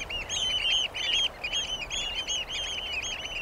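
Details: Eurasian oystercatcher pouring out a fast, unbroken stream of high, ringing piping notes, about two or three each second, slightly uneven in spacing, over a faint low hiss.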